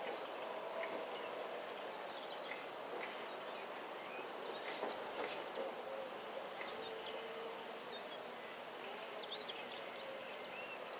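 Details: Short-toed treecreeper calling in rural Nouvelle-Aquitaine, central France, 13 March 2018: after scattered faint high notes, a pair of sharp, piercing high-pitched calls rings out about a second apart, then one softer note, with constant outdoor background noise.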